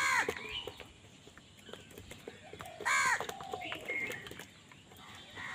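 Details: Crows squabbling over food give two loud, harsh, nasal caws, one at the start and one near the middle, with softer calls and clicks in between.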